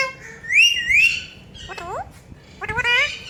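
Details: Rose-ringed parakeet kept as a talking parrot gives two loud rising whistles, then a harsh downslurred squawk and a rough burst of chatter.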